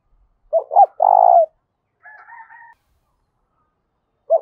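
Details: Spotted dove urged to fight, calling loudly in the 'thúc bổi' style: double short notes and a drawn-out falling coo, then a softer, higher two-toned call from another bird, and the next coo just starting.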